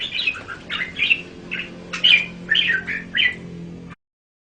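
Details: Red-whiskered bulbul, caged, a run of quick slurred whistled notes over a faint low hum, ending abruptly in silence.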